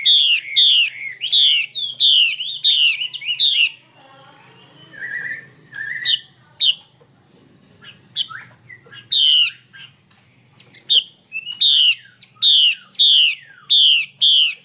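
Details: Female Chinese hwamei giving her call meant to make males sing longer and with more voices; fast runs of loud rasping notes start and end the recording, and a quieter middle holds soft whistled slurs and scattered notes.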